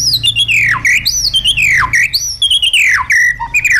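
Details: White-rumped shama delivering wild-style song meant to train caged birds. High, ringing whistles slide steeply downward again and again in rapid, continuous phrases, bright and piercing throughout.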